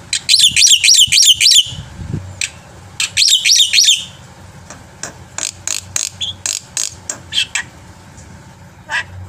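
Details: Black-winged myna pouring out a full, varied song used to coax other birds into singing: dense runs of zigzagging high whistled notes, then a string of clipped chirps and harsh ticks spaced about half a second apart.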